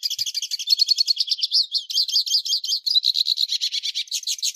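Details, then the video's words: Hooded siskin (Carduelis magellanica) singing a fast, continuous jumble of high twittering and buzzy trilled notes, with rapid chattering phrases and no pauses throughout. "Hooded Siskin Song, Hooded Siskin Call, Bird Sound - Cabecita Negra Canto"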